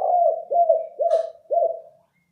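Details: Spotted dove coos, recorded for luring: four low, mellow notes, each ending with a downward dip, evenly spaced about half a second apart and fading at the end.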